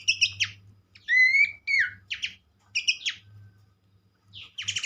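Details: Horsfield's babbler (pelanduk semak) heard in a recording meant to stimulate other birds. Scattered whistled phrases, one clear rising note, and short down-slurred chips over a steady low hum.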